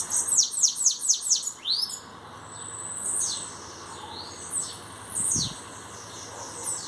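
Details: Recently arrived singing-contest bananaquit delivering a fast series of five or six high, thin down-slurred notes, followed by sparse wheezy chips and sweeps; a brief low knock occurs near the end.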